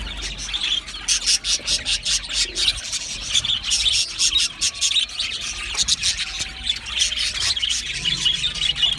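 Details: Continuous budgie chatter: many quick, scratchy, high chirps packed close together, with a steady, rapid, rasping quality throughout.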